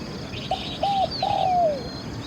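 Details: Spotted dove used as a caged decoy to lure wild doves, giving three low mellow coos, the last drawn out and sliding down. Faint higher chirps from other birds sound behind.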